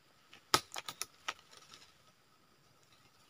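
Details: A few sharp taps and clicks fading into quiet background, no animal calls.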